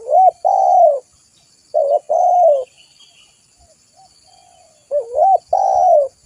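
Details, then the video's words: Spotted dove coos, used as a lure and tutor recording. Three low phrases, each a short hooked note and then a long drawn coo that sags at its end, arrive about two seconds apart over a faint high background hiss. "Suara burung tekukur gacor buat Pikatan"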